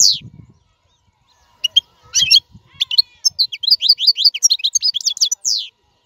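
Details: European goldfinch, a free-living royal goldfinch, singing to teach caged young birds: brief high twittering notes, then a fast run of sharp chirps and rapid trills with short buzzy slurs.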